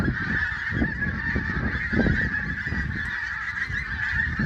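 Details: Continuous honking from a flock of geese at sunrise, Prestatyn, a busy overlapping chatter of nasal calls, accompanied by a low wind-like roar.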